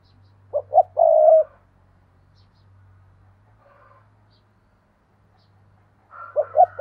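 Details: Spotted dove used as a decoy, calling in 2022: a phrase of two quick short coos and a drawn-out coo, then a long pause before the same pattern starts again; low background hum.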